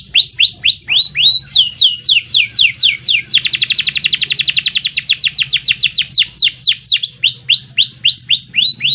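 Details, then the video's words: Loud canary song of repeated falling slurred whistles, a fast buzzy trill in the middle, then more evenly spaced descending whistles. "Kenari Gacor Panjang Ngerek Ngerol Nembak"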